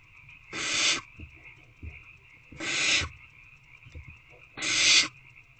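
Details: Begging owlets inside nest box C, evening of 3/2/24, waiting to be fed: three loud breathy hisses roughly two seconds apart, each about half a second long, over a faint constant electronic hum.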